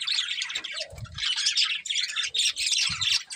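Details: Breeding pair of colourful budgerigars, dense warbling chatter of buzzy high chirps in rolling bursts, with a brief low whistle and some soft thumps.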